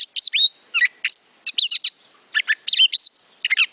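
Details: Gray Catbird song played back in a birdsong identification lesson, a song said to rarely repeat and to be whiny and all over the place: rapid varied chirps, squeaks and slurred whistles, constantly changing, in short bursts.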